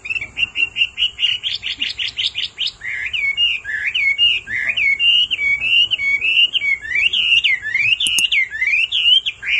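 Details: Hwamei, a male singing loudly after being roused by a female's repeated calls: a fast run of bright rising notes, then a continuous stream of varied looping whistled phrases, with a faint steady high tone and a brief click near the end.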